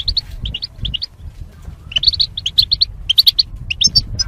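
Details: Caged goldfinches in mating pairs for singing training; paired chirps at first, then a denser run of bright twittering notes, with faint low hum.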